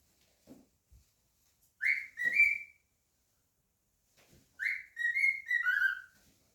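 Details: Pet cockatiel indoors, singing and whistling: two bursts of clear whistled phrases near the middle of its range, a rising note followed by level and falling slurs, with faint clicks between.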